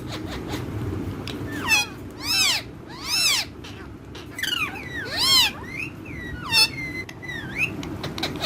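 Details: Parrots calling together, one pet bird among other parrots: loud harsh squawks in repeated arching bursts roughly every second, mixed with shorter upward whistles, over a constant low background rumble.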